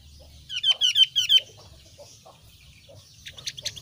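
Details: Javan grey-throated white-eye, thin-browed type, calling four clear, high, downslurred notes in an even, rapid series, followed by quiet ticking and faint chirps against a low steady hum.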